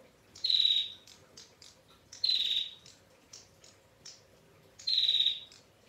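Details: Female bar-winged prinia gives long, clear trilling: three loud, high, buzzy trills about every two seconds, with softer chipping notes between them.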